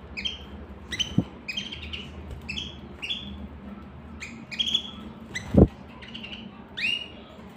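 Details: Canary repeating crisp, high chirps roughly every half second, some rising and some falling, over low background hum and a loud thump midway.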